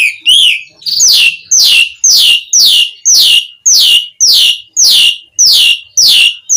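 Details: Jalak suren, the Asian pied starling, calling to prompt other starlings to answer: a repeated, steady series of loud descending squeaky notes, roughly two per second.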